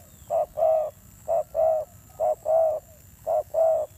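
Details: Fierce cooing from a spotted dove decoy bird; four pairs of low, rounded notes, each a short coo leading into a longer, slightly falling one.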